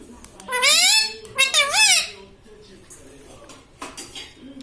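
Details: Talking pet parrot said to say "mummy papa"; two bright, harmonic voiced syllables in quick succession, the first rising, the second wavering up and down, followed by softer clicks and faint indoor noises.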